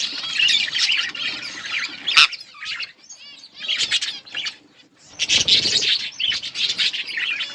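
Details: Budgies in a breeding colony give bursts of overlapping chirps and squawks separated by short quiet gaps, with a sharp click, wing flutters and a few rippling trilled notes between bouts.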